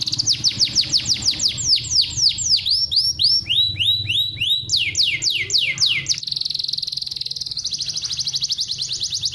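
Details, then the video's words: Atlantic canary song used to stimulate other birds to sing: fast rolling trills of repeated high sweeping syllables that change tour several times, ending in a steady buzzy high trill, over a faint low hum. "MASTERAN KENARI UNTUK MERANGSANG BUNYI BURUNG BAHAN"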